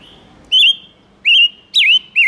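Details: Lure recording of a silver-eared mesia's song for calling in wild birds: strong whistled notes spaced about half a second apart, a wavering note, a rising sweep, then a falling slur and a final dip-and-rise.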